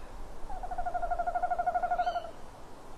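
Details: Tawny owl at a nest box, 18:41 on 27 February 2016, where the male calls from a branch and the female wants prey. A single mid-pitched hoot quavers rapidly for about two seconds, ending with a brief higher note.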